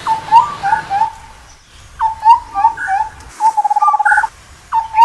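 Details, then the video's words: Indian scimitar babbler calling in mellow, fluty whistled phrases: low steady notes with higher inflected notes over them, given in bursts about a second apart, with a low rumble underneath. "Indian Scimitar Babbler Call"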